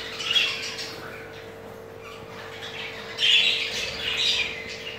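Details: Crested jumbo male budgerigar during mating, from a pair with two eggs; two short bursts of harsh squawking chatter at the start and after three seconds, quieter between, with a faint steady hum.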